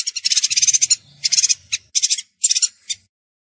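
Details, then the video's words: Chestnut-crested yuhina giving quick, high, buzzy chattering bursts, four separate runs of rapid pulsed notes with short pauses between, dense and twittering, and a faint low rumble underneath. "Chestnut Crested Yuhina Bird Sound, Bird Song, Bird Call, Bird Calling And Chirping"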